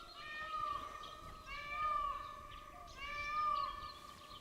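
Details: An Indian peafowl (peacock) in Bandhavgarh National Park, India, calls on a morning safari: three loud, nasal, mewing wails about 1.5 s apart, each lifting slightly at the end, over faint hum; another peacock calls nearby.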